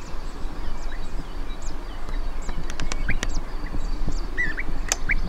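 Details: European bee-eaters (Merops apiaster) in Portugal give soft, rolling 'prruip' calls, scattered and distant, over a steady low rumble.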